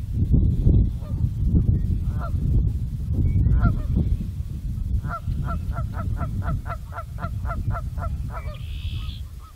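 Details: Trumpeter swan in the Nebraska Sandhills on 15 March 2014 giving nasal, horn-like honks, scattered at first, then a quick run of about a dozen, over steady low wind rumble.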